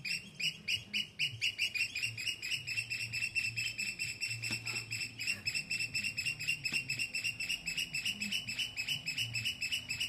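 Oystercatchers give shrill, piercing piping notes in a rapid run of about four a second, overlapping like several birds calling together, over a faint low hum.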